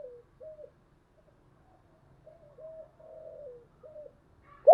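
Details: Spotted dove cooing used to lure wild doves: a slow run of soft, evenly pitched coo notes with one longer, falling purr in the middle, and a sharp knock at the very end.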